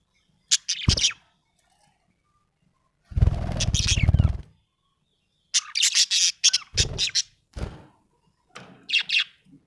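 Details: Happy budgie giving quick high chirps, interrupted by a long low fluttering rumble like wing flapping, then a lively run of separate chirps and a final short warbled phrase.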